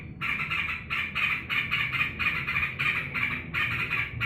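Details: Caged yellow-vented bulbul greeting its returning owner. Regular chattering bursts, around two per second, over a low background hum.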